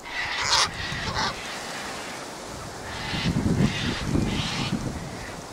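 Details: Gathered Sulphur-crested cockatoos (Cacatua galerita) give two harsh screeches, then more distant squawks while wind rumbles low.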